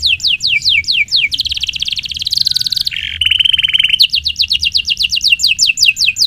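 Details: Singing canary on a tutor recording for young birds: repeated falling whistles, then a long buzzy trill and a flat rattling roll, returning to rapid downslurred notes.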